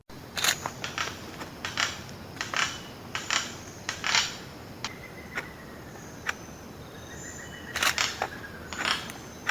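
Yellow-eared Toucanet giving loud, dry croaking notes at an uneven pace, several seconds apart, with faint whistled notes from another bird and a soft forest background.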